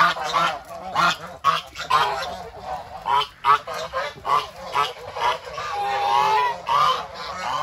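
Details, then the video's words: Farm-raised geese at feeding time, a dense stream of overlapping nasal honks and gabbling notes, with a steady high hiss in the background. "Beautiful Goose are eating their food"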